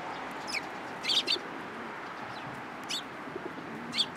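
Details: Sparrows coming onto a hand to be fed at a Tenmangu shrine, 13 April 2023; a few short, sharp high chirps in ones and pairs over a steady background hiss.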